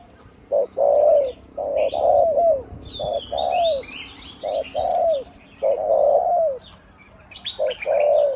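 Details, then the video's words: Spotted dove decoy bird, large voice, one-'kuk' style with near-constant 'khu-ang'; repeated hollow coo phrases that slur downward, over busy high chirping and twittering from other birds. "นกต่อVIP 1กุกเสียงใหญ่คูอ่างเกือบตลอด ต่อดิน ต่อกิ่ง ต่อเพนียด"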